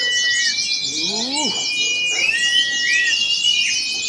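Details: At a special practice contest, many oriental white-eyes sing at once: a bright high chattering wall of song over long steady whistles that dip at their ends, with a brief human call underneath.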